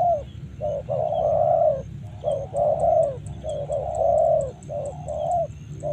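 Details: Spotted dove in Karawang cooing in long, drawn-out rounded phrases alternating with short clipped notes, low and mellow, over a constant low rumble and a thin high tone.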